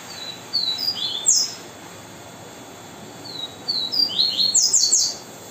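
A variable seedeater sings two quick, high phrases of sweet slurred whistles ending in bright, buzzy trills, with a short pause between them.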